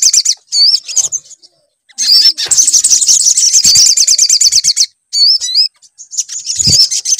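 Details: Sunbird singing, played as a lure to coax a bird into song: sharp curling whistles, a long shimmering high trill of about three seconds, then more twisting whistled notes.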